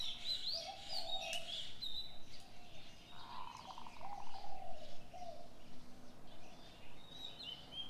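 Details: Birds singing in the morning, mixing repeated low coos and a fast trilled cooing phrase with scattered high chirps and whistles, over steady background hiss.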